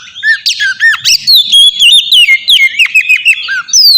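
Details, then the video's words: Oriental magpie-robin lure song meant to trigger an answer, a rapid, dense stream of loud whistled slurs, squeaky notes and chattering phrases with hardly a pause. "suara pancingan burung kacer ampuh!! buat pancingan kacer bahan dijamin langsung nyaut"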